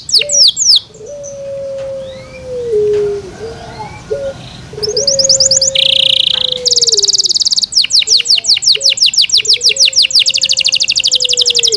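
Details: A kept Yorkshire canary sings in bursts: falling whistles, a pause filled by a low wavering tone, then a buzzy trill and a long series of fast repeated downslurred notes.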